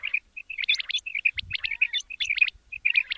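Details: Male quail giving a fast, steady stream of short chirped notes mixed with sharper high flicks, nearly continuous over a few seconds; a brief low thud near the middle.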